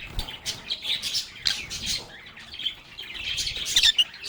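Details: Lovebirds singing, playing and talking together: a steady stream of high chirps and chattering twitters, with brief louder bursts around the first, second and fourth seconds, plus faint low thumps.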